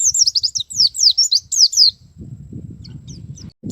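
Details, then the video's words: Wild male white-eye giving ngalas and nembak style song: fast bursts of bright, high, twittering notes tumbling over two seconds, followed by faint chirps over a low rumbling background. "suara pleci jantan ngalas dan nembak"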